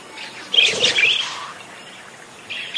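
A parakeet gives a quick burst of scratchy, chattering chirps lasting under a second, then pauses before a second short twittering phrase starts.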